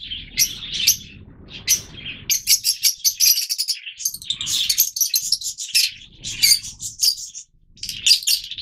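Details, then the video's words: Yellow Fischer's lovebirds, the species' oldest mutation, captive, in near-continuous shrill chattering, rapid harsh high chirps strung in quick series with brief pauses, dense and busy throughout. "Yellow Fischer's Lovebirds"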